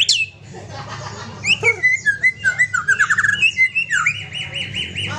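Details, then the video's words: Aceh-type white-rumped shama, kept with a companion, giving a sharp high note, then varied whistles and a fast rippling run, ending in an evenly repeated, high, ringing whistled trill. "Murai Aceh + Punya Teman"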